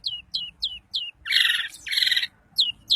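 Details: Long-tailed shrike of Daput type giving song used to set other shrikes singing: repeated downslurred high whistles every third of a second, broken by two loud harsh grating bursts, then the whistles return.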